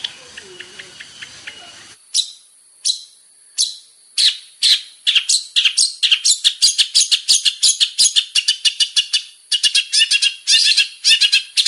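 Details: Singing male long-tailed shrike with varied phrases, recorded as a lure: after a faint opening, sharp chirps and squawky notes come singly at first, then in quickening, crowded bursts.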